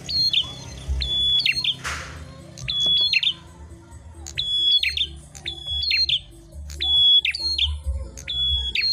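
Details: Prenjak merah prinia contest song: sharp whistle-and-chip phrases repeated steadily about every second, interrupted once by a brief noisy rush, low hum throughout.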